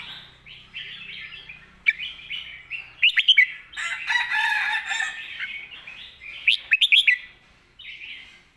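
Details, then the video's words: Red-whiskered bulbul in a cage performing master-song style singing: repeated bursts of sharp, rising whistled notes separated by dense, chattering warbles, with other birds calling throughout. "หนักทุกดอก"ใส่เต็มระบบ/เพลงแม่บท นกเสียงทอง"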